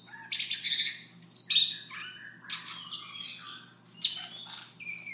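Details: Siberian rubythroat in soft morning song, mixing rasping bursts with clear high whistled slurs in a rapid, uneven sequence, with a steady faint low hum throughout.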